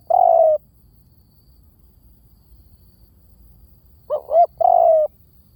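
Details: Spotted dove decoy coos. A long, smooth, slightly descending hoot is followed after a pause by a full phrase: two quick rising notes, then a drawn-out coo.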